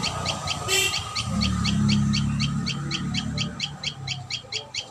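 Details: Rapid high chirps from a common tailorbird at the nest, repeated several times a second, partly covered by a low rumbling noise and one sharp burst near the start.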